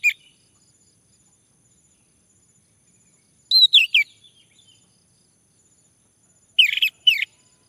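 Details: A male Orange-headed thrush, recorded as a lure to prompt other males to sing, gives short, bright bursts of high twittering notes in two or three clusters separated by a few seconds of quiet.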